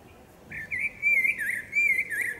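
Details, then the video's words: Common blackbird, said to be a female, singing in a forest: a fluty, warbling whistle that wavers and slides up and down in short connected phrases, with no other clear sounds. "Dźwięk śpiewu kosa. Samica kosa śpiewa. Kos śpiewa w lesie. sounds and singing of the blackbird"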